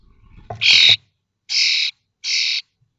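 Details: Twenty-one-day-old common starling chicks in a nest box at Théding, 19 May 2024, the day all five fledged: three harsh, hissing screeches, the first preceded by soft rustling, the others evenly spaced and equally strong.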